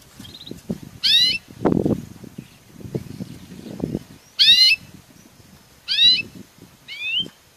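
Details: Belgian canary giving sparse, separate notes: sharp down-slurred chips and curling whistles spaced a second or more apart, over low rustling and tapping noises.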